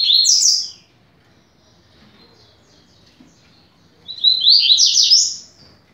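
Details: Double-collared seedeater singing in the 'rápido de bico' style, a song meant for training young birds. A bright phrase of rapid notes cuts off, then after a pause a second quick, rising, buzzy phrase follows.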